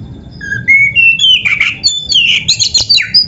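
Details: Oriental magpie-robin (kacer) training song for caged birds: a few rising pure whistles, then a loud, hurried jumble of chattering and whistled notes.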